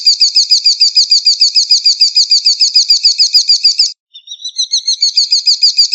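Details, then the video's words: White-rumped shama giving a long, very regular trill of repeated looping notes, about three per second, breaking briefly then resuming. "Serba Murai!!! weihhh kicaunya murai ini luar biasa"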